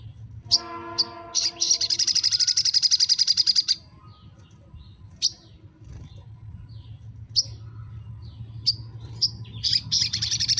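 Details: Crimson sunbird (sogon) song for encouraging quiet birds to sing: opening chips, then a fast, high, buzzing trill lasting about two seconds, later scattered sharp chirps and short trills over a low background hum.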